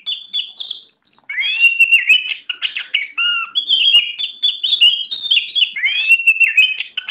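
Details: Nearly continuous singing from a caged white-rumped shama billed as strong-spirited and ready for competition: fast tumbling whistled phrases, upward and downward slurs, and low steady whistles after a short opening pause.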